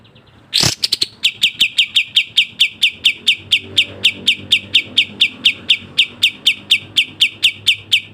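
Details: A loud harsh burst opens, then a sooty-headed bulbul keeps up a long, dense run of about thirty crisp falling chirps at a brisk pace. Fast varied 'kapas tembak' tutor song.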